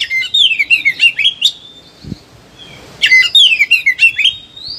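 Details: Agitated Oriental magpie-robin performing song for training other birds: two bursts of rapid whistled downslurred notes with rattling clicks, separated by a two-second pause containing a single thud, ending on a rising whistle.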